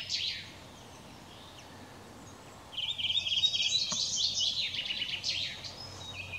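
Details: Spring song of a Redwing, 18 April 2021: a short high chirp, a quiet gap, then about three seconds of fast, squeaky twittering notes running together, ending in a brief high note, against a hissing outdoor background.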